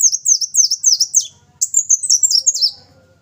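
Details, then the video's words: Brown-throated sunbird singing vigorously, pouring out rapid high-pitched chirping notes that swoop downward, in two brisk bursts of over a second each, then a short thin tone and a faint low hum as it trails off. "Burung madu belukar gacor"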